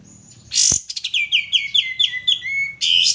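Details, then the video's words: Male sooty-headed bulbul in full lure song: a sharp burst, then a rapid series of bright, slurred whistled notes that dip and rise, ending in a sustained high trill, with a quiet background. "suara pancingan burung kapas tembak jantan gacor"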